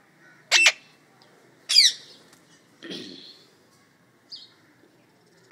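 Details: Pet parrots kept at home, described as talking: three harsh, noisy squawks about a second apart, then a short high chirp and the start of another squawk, with a quiet room in between.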